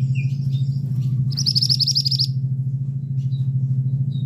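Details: Male scarlet minivet uttering a quick string of about ten high, sharp notes, preceded by short thin chirps, over a steady loud low mechanical hum.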